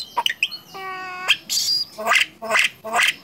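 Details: Talking starling, a contest champion, gives sharp chirps, a steady buzzy harmonic note, then a squawk and three rhythmic speech-like syllables about half a second apart.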